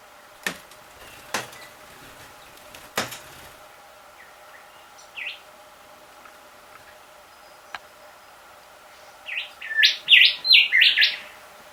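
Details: At 6 a.m., a resident rufous whistler taps at a bedroom window, heard as sharp knocks early on, then gives a few soft calls and ends with a loud burst of five or six quick, ringing whistled notes.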